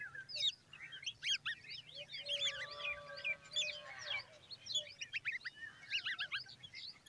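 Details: Common babbler chicks standing beside their mother, giving a dense stream of high, squeaky chirps and short slurred notes that overlap one another, with fainter lower whistled tones in the middle of the clip.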